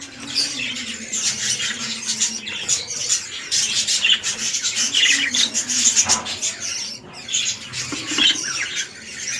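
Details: Captive budgerigars, red-eyed lutino male and female set up for breeding; steady shrill chattering and squeaky warbles with pulsing loud bursts, a short lull near seven seconds, a soft low tone beneath.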